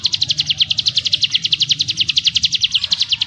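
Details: Ciblek gunung, a prinia, giving its dense churring 'ngebrem' song: a rapid, even series of high sharp notes repeated steadily for over three seconds, with faint low background rumble.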